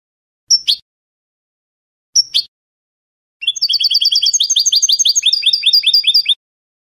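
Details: European goldfinch, Spanish canto de salón style, sung by a caged bird on a training recording: two short sharp calls, then a long fast sequence of tinkling high notes and repeated up-slurred syllables.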